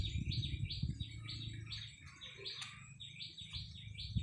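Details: Decoy red-whiskered bulbul in a cage, April 30, 2025, repeating short bright chirps about three times a second, briefly pausing midway, with a rumbling low background hum throughout.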